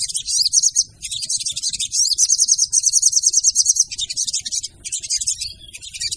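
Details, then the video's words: Lure call of a female sogon: almost continuous shrill twittering with rapid trilled sections and a couple of short breaks. "PANCINGAN SOGON TER AMPUH DENGAN SUARA SOGON BETINA"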